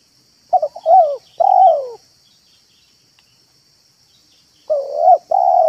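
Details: Spotted dove coo phrases for luring doves, 'manggung' and 'meratus' styles: clipped notes leading to two mellow falling coos, then a second phrase of long, even coos. A constant high hiss runs throughout.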